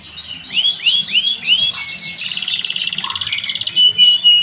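A Timbrado canary sings a fast run of arched, metallic notes, then a rapid bubbling trill and sustained high whistles.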